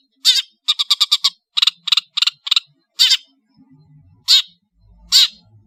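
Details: Madura long-tailed shrike in energetic full-variation song: a fast run of rasping bursts in tight groups, then single harsh notes spaced about a second apart, with faint low rumbling between them.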